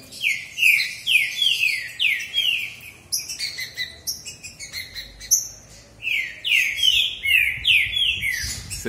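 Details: Two male green-winged saltators (Saltator similis) in a singing contest: clear whistled phrases of slurred, descending notes repeated in quick series, then a pause with sharper chips before the whistled series returns; a man speaks briefly.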